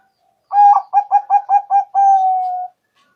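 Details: Zebra dove (perkutut, Bangkok and local types) lure song for trapping: six short, clipped mid-pitched coo notes in quick succession, then one long, even, sustained final coo. Quiet background.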